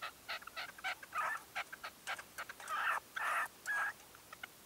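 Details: Red-legged partridge decoy, dawn 2023: spaced soft clicks mixed with several longer, harsher rasping calls, a few ending in a brief clear tone.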